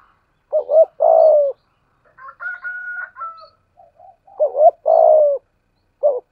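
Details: Decoy spotted dove of the 'thổ' voice style: two loud phrases of double short coos and a long falling coo, separated by a fainter, higher-pitched coo sequence from another bird.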